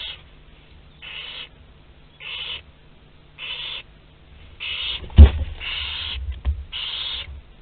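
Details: Barn owl family in a nest box at Théding, spring 2021 (27 April), as prey roams the box. A steady series of short, harsh hissing screeches is heard, about one a second. A loud thump or knock comes midway.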